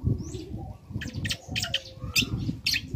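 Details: Young long-tailed shrike, used to provoke other shrikes into answering, giving raspy broadband chatter in clustered bursts, partly masked by persistent low-pitched background noise.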